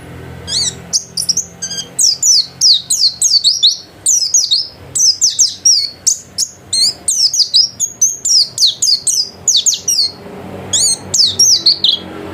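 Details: Home-kept caged white-eye in full, lively song: a dense, fast chatter of high, downward-sweeping notes running for about twelve seconds, with only short breaks, including a brief pause near the end.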